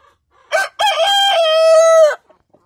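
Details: An Olive Egger rooster crows once: a short harsh opening note, then a long, steady, drawn-out final note lasting over a second.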